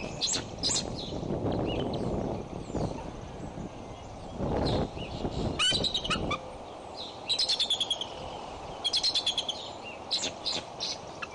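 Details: Female bald eagle guarding her nest at Decorah on 15 April 2012, scolding after the male flew off a squirrel meal; gusty wind roars throughout, and bursts of high, rapid, stuttering chatter come near the end.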